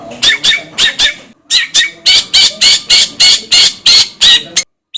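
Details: Long-tailed shrike lure song meant to prompt another bird to sing quickly: harsh, buzzy, scratchy notes repeated about three times a second in steady bursts, ending in a brief pause and a short high squeak.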